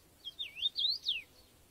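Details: Common rosefinch field recording from the UK: a short phrase of clear, slurred whistles, four notes swooping up and down in just over a second, the last one loudest and falling, over quiet background hiss.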